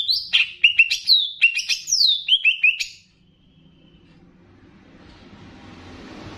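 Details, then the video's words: Banyuwangi greater green leafbird in a training track blended with bebeci-style notes to stir up other leafbirds: a fast, varied run of high whistled slurs and descending chirps lasting three seconds, followed by quiet hiss. "VARIASI LAGUNYA NGERI || MASTERAN CUCAK IJO UNTUK MENAIKAN EMOSI ! + BEBECI"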